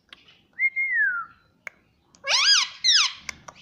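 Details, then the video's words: A pet Indian ringneck (rose-ringed) parakeet mimics speech, repeating "mummy": a clear falling whistle, then two harsh, nasal word-like syllables in quick succession in an otherwise quiet room. "papa bolne vala parrot || mummy bolne vala parrot || nonstop mummy bolne vala parrot"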